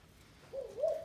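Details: Wild-caught spotted dove kept 12 days in a cage gives one short, low, rising coo that wavers upward in two steps, over quiet background hiss.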